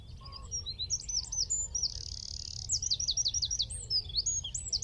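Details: Eurasian wren at Wicken Fen singing from a tree roughly 15 m off, phone, telescope and shotgun mic. Shrill rapid twittering gives way to a steady trill, then a burst of loud repeated descending notes.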